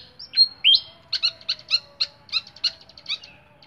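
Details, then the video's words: Flycatcher kept in a cage gives a clear song: a bright rising whistle, then a run of crisp, evenly spaced high chips repeated about three times a second that fade away at the end. "BURUNG SIKATAN SUARA JERNIH"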